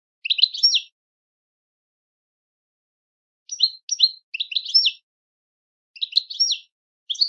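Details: European goldfinch singing in repeated short bursts of tinkling, twittering chirrups, each under a second long, spaced by quiet pauses.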